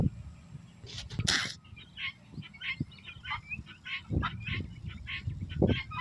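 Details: Helmeted guineafowl, a mated male and female with eight keets, give short, repeated chirping notes, with low rumbling noise and a harsh burst early on.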